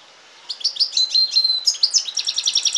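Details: Following a short quiet start, a hybrid of European goldfinch and canary sings a rapid, high-pitched warble of tinkling notes and thin sustained whistles, rolling into a fast trill.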